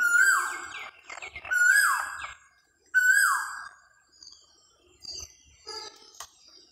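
An Asian koel gives three loud, ringing whistled notes about a second and a half apart, each sliding downward at the end; softer chirps from other birds follow.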